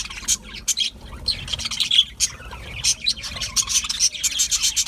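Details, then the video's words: Budgerigar twittering: bright, high chirps in quick, uneven bursts, some sharp whistled peaks, with near-constant chatter through the whole stretch. "Budgie Parrots Chirping sounds"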